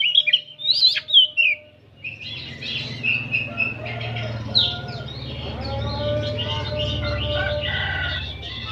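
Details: Several oriental magpie-robins singing together in the afternoon: a thick stream of overlapping whistles and chattering notes, with a few sharp calls at the start, over a steady low hum.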